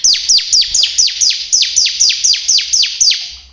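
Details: Bar-winged prinia (ciblek kristal) lure recording meant to provoke caged birds into nonstop ngebren singing: a steady run of sharp, high, downward-sweeping notes, about four per second, with no other sounds.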